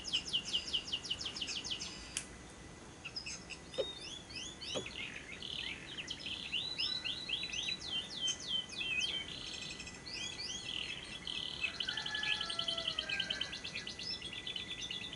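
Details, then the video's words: Lovebird lure recording for prompting song day and night: varied squeaky chirps, slurred whistles and bursts of fast rattling trill, with a few clicks and a faint lower chatter later on. "Pancingan Suara Burung Lovebird yang pas untuk Siang dan Malam hari, masteran labet ngekek panjang"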